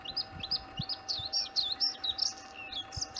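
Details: Bluethroat on 4 April 2021, back around its late-March–early-April return, sings a fast, varied run of high chirps, twangy notes and short trills without pause, over a faint steady hum and a few low knocks.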